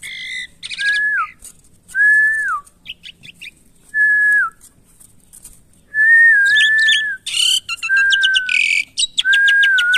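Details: Asian pied starling kept caged and undergoing taming gives a series of steady falling whistles spaced about two seconds apart, interspersed with quick chips, dense harsh chatter and buzzy trills.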